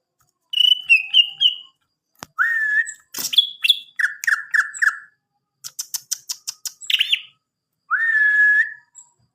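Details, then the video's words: Greater green leafbird singing in a quiet room: short bursts of high chirps, then clear whistled notes, some flat and some sliding, repeated in quick runs with brief pauses, ending on a long steady whistle. "Burung Cucak Ijo"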